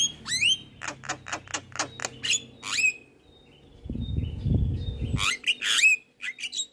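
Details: Javan myna in energetic, varied song, meant to be played daily to train other birds: rapid harsh clicks and a whistled upslur, a low rumbling burst midway, then more scratchy notes and thin whistles.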